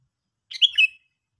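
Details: A single half-second phrase from a sooty-headed bulbul: a bubbly run of liquid notes rising, then slurring down into a short whistled ending, with no other sounds.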